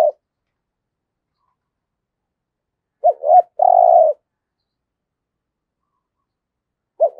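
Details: Spotted dove decoy bird delivering a single 'giọng thổ' style phrase, two short hooked notes and a sustained low coo, with clipped fragments of other phrases at the start and end and long silence between.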